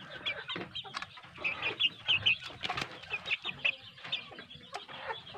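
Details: A flock of well-fed, grown kampung chicks produces high, thin chirps mixed with rapid clucking, packed closely and overlapping in a busy, restless chatter.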